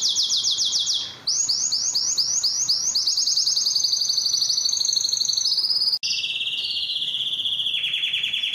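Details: Belgian canary delivering continuous high trills: rapid repeated chirping notes, a quick change of tour after one second, then lower sustained rolling phrases sliding downward near the end.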